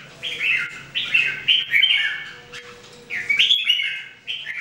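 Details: Three Red-whiskered Bulbuls (jambul) in daily singing training give bright warbled phrases that rise and fall, each about a second long, separated by short pauses.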